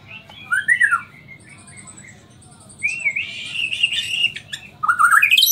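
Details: White-rumped shama (Murai Borneo) from Samarinda, singing in nyangkul and roll tembak style: a rising-falling whistle, soft high notes, then a buzzy rapid phrase and a sharply rising slurred ending.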